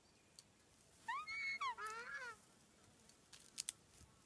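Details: At Tawharanui Regional Park, a predator-free open sanctuary north of Auckland where three takahe were seen, a takahe gives one nasal, two-part call of about a second, arching up then down in pitch, with a few faint clicks.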